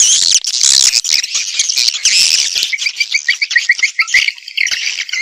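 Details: Dense swiftlet chatter played as a lure: loud overlapping high twitters, then a clear series of short, rhythmic chirps before the chorus resumes.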